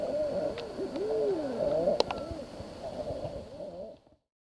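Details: Common eiders giving overlapping moaning coos. Each note arches up and down, and one clearer rising-falling note stands out near one second. The chorus fades away after about four seconds.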